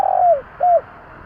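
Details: A spotted dove gives two low coos used to excite a decoy bird: a long note sliding downward, then a shorter level one, clear against quiet background noise.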